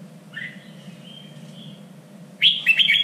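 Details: Red-whiskered bulbul singing in Vietnamese contest style, played for training: a soft drawn-out whistled note, a pause, then a loud jumble of quick chirpy whistles at the end, with a low hum throughout.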